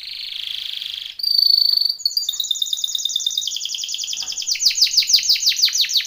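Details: Training song of a Timbrado canary: a steady buzzy trill and a bright ringing note, then a chopped trill that speeds up and grows louder.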